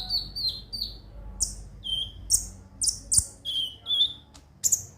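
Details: Konin song meant to stimulate other birds to sing: a string of high, slurred whistled notes, some dropping in pitch, others sharp and piercing, spaced roughly every half second.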